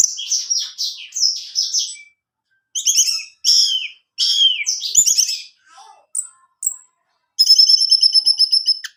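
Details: Orange-headed thrush song aimed at getting a kept male to sing: repeated slurred high phrases about every half second, short pauses, a few soft notes, then a long buzzy, rapidly pulsed high trill.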